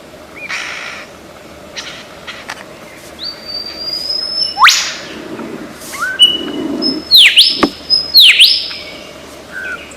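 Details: Lyrebird of Australian forest, known for imitating many sounds, producing scattered thin whistles, a long rising whistle, then paired loud sweeping downslurred notes over faint background hiss.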